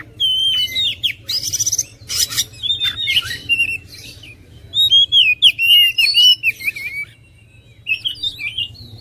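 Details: Varied song of an oriental magpie-robin: scratchy bursts open into a long run of looping whistled notes, then a brief pause and a final sweet whistled phrase, with a quiet low hum throughout.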